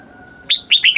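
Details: Brief burst from a Thai red-whiskered bulbul in southern master-style song, played to excite caged birds and teach young birds: a rising whistled note followed by quick slurred warbles.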